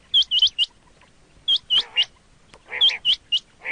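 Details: Quail call used for hunting: clear whistled, sharply upslurred notes in groups of three or four, repeated about every 1.3 seconds, with softer lower squawky notes in between.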